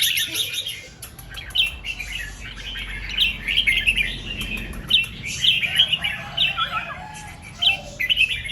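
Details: Red-whiskered bulbul singing at dawn in the double 2-3 and rik styles: a busy stream of chattering, bubbling phrases with short sharp clicks between them.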